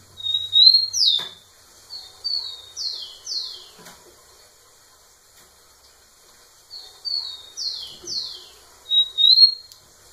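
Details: Rufous-collared sparrow singing heavily in front of a female; two complete phrases of a sharp rising whistle then a run of descending slurred notes, separated by a quiet gap.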